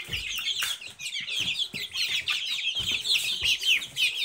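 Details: High-pitched cheeps from many Silkie chicks, quick notes repeated roughly twice a second in irregular bursts, with soft thumps underneath.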